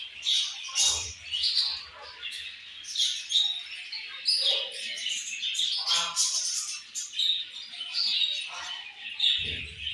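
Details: Busy budgie chatter fills the air: high, buzzy warbling and sharp squeaky chirps from several birds, nearly unbroken, with occasional soft low thumps.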